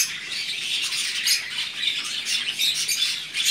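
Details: Newly arrived pet rosy-faced lovebirds at home, a steady stream of sharp, squeaky high chirps and harsh squawks packed closely together throughout.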